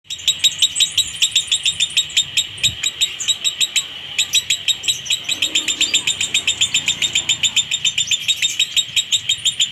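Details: Lovebird singing in the konslet minor style with a dry tone, used to provoke other lovebirds into singing: rapid, evenly repeated sharp high chirps in a long unbroken run, with a brief pause near four seconds.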